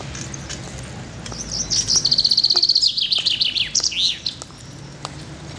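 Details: A common chaffinch singing on a sidewalk in Gus-Khrustalny, unafraid of passers-by: one bright phrase of about three seconds, a fast high run of repeated notes dropping lower and ending in a quick flourish, over a low background hum.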